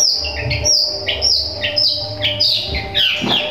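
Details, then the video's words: Long-tailed shrike giving its sparrow-imitating song, used to make other shrikes aggressive. Bright high chirps paired with lower notes recur about every half second over a low background hum. "Cendet suara gereja sambung materi alam bisa untuk masteran bikin cendet lain emosi"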